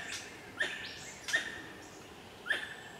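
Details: Bar-bellied pitta (Hydrornis elliotii) calling: three short, slightly upslurred notes, each about one second apart and led by a sharp click, over a soft hiss of background noise.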